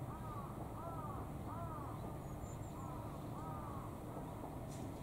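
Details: Five call ducks waiting for food outside a door, hungry, giving repeated arching nasal quacks about every three-quarters of a second over steady background noise.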